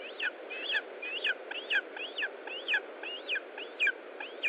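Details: Lesser spotted eagle nest in Estonia, feeding time on 20 July 2012, 15:45: a steady run of squeaky, bent chirps, about two per second, each a rising-then-falling whistled note, over constant low hiss.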